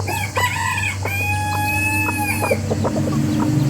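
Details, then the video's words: One long, drawn-out rooster crow holds a steady, clear tone for about a second and a half, with clucks before and after and a continuous low hum underneath, from a rooster family vocalizing together. "Rooster family makes noise together."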